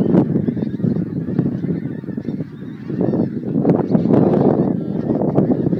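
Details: Montrose Basin geese heading off to feed, 12 January 2011: loud, crowded honking from many birds, with sharper individual calls breaking out above the continuous din.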